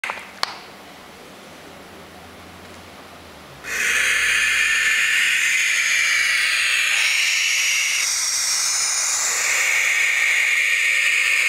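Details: Baby barn owls: faint background at first, then a loud, steady, breathy hiss begins and continues unbroken to the end.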